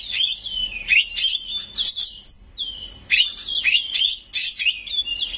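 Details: Loud, nonstop song of an Oriental magpie-robin filled with imitated phrases of other birds. Fast, sweeping whistled notes and buzzy chatter alternate in short bursts about every half second, with one sustained, pure whistle partway through.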